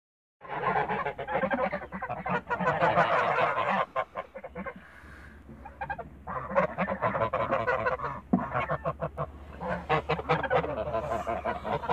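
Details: Toulouse geese in a backyard, a flock giving rapid, harsh, overlapping honks in dense bursts with a short lull near the fifth second before the clamour resumes.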